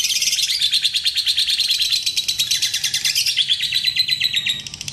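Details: Lovebird giving a long, unbroken high trill of rapid chattering notes, about three per second in pulses, held for the whole five seconds, used to draw other lovebirds into singing.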